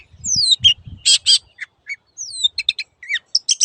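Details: Long-tailed shrike, master recording for caged birds: long descending whistles alternate with harsh high bursts and quick doubled chips, ending in rapid chirps; a few soft low sounds near the start.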